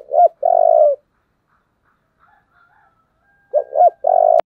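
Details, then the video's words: Forceful 'giọng thổ' style spotted dove coo, used as a luring model. A double hooked note and a long, loud, even coo, a quiet pause, then the same phrase repeats. "cu gáy giọng thổ Thúc rất căng"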